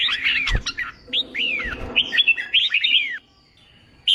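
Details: Wild-caught red-whiskered bulbul song for singing-contest training: downslurred whistles and short warbled notes in two or three phrases, then quiet. Low background noise and a few clicks.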